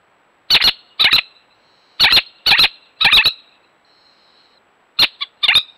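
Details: Little Owl at a natural nest site gives an alarm of harsh, high, sharp yelping notes, mostly in quick doubled bursts, pausing briefly before resuming; the background is otherwise quiet.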